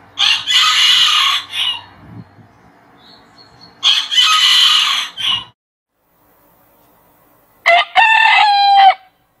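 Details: Rooster crowing at morning: two broad, noisy bursts of about one and a half seconds each, then after a pause a shorter harmonic crow with a level, drawn-out ending.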